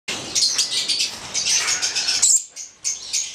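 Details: A pair of Stella's lorikeets (Charmosyna papou goliathina), a red male and a black female, giving harsh, high shrieking calls in dense overlapping bursts, with a brief pause near the end before the screeches resume.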